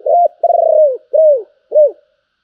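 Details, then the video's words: Spotted dove singing its giọng thổ style phrase with a Bầu quality. A clipped opening coo, a long buzzy sustained coo, then two shorter descending notes, all deep and mellow. "cu gáy giọng thổ, Bầu nghe rất hay"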